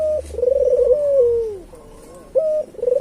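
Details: Local island collared dove, a persistent caller whose voice is used as a lure for other doves. A short flat note, a rolling trilled coo and a long falling note, followed by another flat note start.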